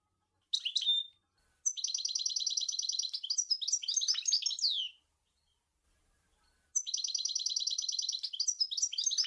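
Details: European goldfinch song, Sour El Gouzlane: a short twitter, then long phrases of steady buzzy trilled notes breaking into quick liquid slurs that fall away, with gaps of silence between phrases.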